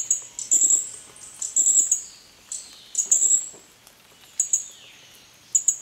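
Green-backed flowerpecker giving very high, thin, ticking notes in short bursts about once a second, against a quiet background.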